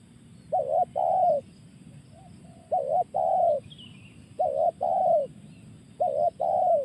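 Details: Spotted dove giving its 'tekan' call: four phrases, each a short wavering two-part coo followed by a longer, fuller coo that slides downward, repeated roughly every one and a half seconds over a low steady rumble.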